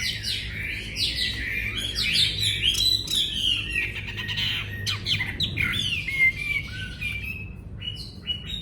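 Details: Wambi bird pouring out a busy, scratchy warble of rapid slurred notes and trills, ending in a few thin whistles, with a low hum beneath.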